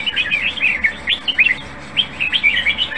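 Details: Bright, rapid warbled song from a caged red-whiskered bulbul praised for its good voice, with looping slurred notes and short whistled upstrokes repeated densely, over a faint low hum.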